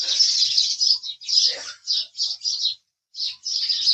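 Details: House sparrow chirping in loud, rasping high bursts, a run of separate chirps with a short silence before a final sustained chatter.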